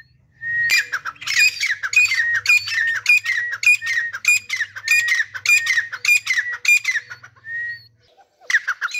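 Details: A pair of grey francolins, teetar, calling together: a long series of loud, harsh repeated phrases mixing squeaky high notes with lower slurred ones, roughly two phrases per second, ending in a brief gap and one more call.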